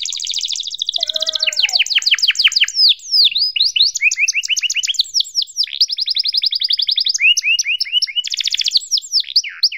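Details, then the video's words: Long canary tutor song meant for young canaries to copy, 'cuit cuit' style: high rapid trills alternating with steep descending sweeps and paired chirp series, continuous and fast throughout. "PANCINGAN Kenari GACOR PANJANG EPS31 Cuit CUIT EMOSI AMPUH utk MASTERAN Kenari PAUD belajar BUNYI"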